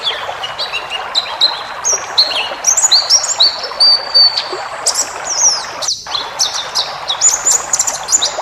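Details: Cage-bird training recording of White-eye 'ngalas' song full of fill-in phrases: high thin whistled notes, some held briefly and level, others quick chirps, steady twittering with one brief silence near six seconds, over background hiss.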